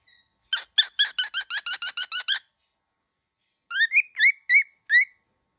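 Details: Angry young cockatiel: a fast burst of about ten harsh rasping pulses, a pause of over a second, then five clearer rising chirped calls.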